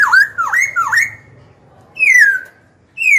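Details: Black-throated laughingthrush singing a song used to provoke rival birds and train young birds' voices: three loud swooping V-shaped whistles in quick succession, a pause, then two long clear whistles sliding downward.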